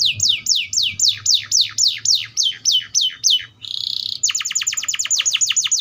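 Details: Atlantic canary delivering loud, evenly repeated descending whistled sweeps, about three per second, broken by a short buzzy rattle before a faster run of similar sweeps.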